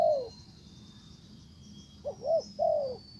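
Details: Spotted dove used as a decoy, calling to lure a wild bird back, which ignores it and leaves; a single low falling coo, then after a pause a three-part phrase of short hooked coos ending in a longer falling note.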